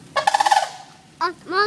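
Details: Local wild sandhill cranes strolling through a front yard in the rain, unusually noisy: a rolling, pulsed trumpeting rattle followed by two shorter harmonic calls, with faint household background.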